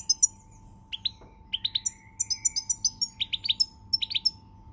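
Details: European goldfinch song recorded 20 March 2020, a pied goldfinch named: bursts of bright, tinkling high chirps and buzzy twitters in quick runs, with a steady faint electrical hum underneath.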